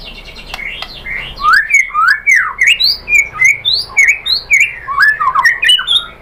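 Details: White-rumped shama singing to provoke other birds into answering: fast, loud run of varied whistled and slurred notes, rising and falling, delivered in quick bursts several times a second with sharp ticks between phrases.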